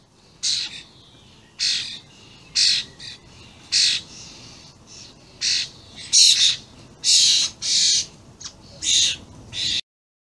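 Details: Common starlings, juveniles with adults, calling loudly on 28 May 2016; grating, hissy squawks spaced about every second, some doubled, in a steady irregular series.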